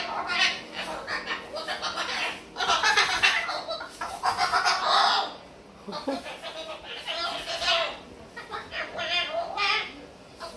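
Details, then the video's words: Talkative pet Moluccan cockatoo vocalizing indoors: rough, raspy, speech-like bursts in bunches of one to two seconds, separated by short pauses, with a brief quiet stretch midway. "I wanna talk talk talk .... (Talkative Cockatoo)"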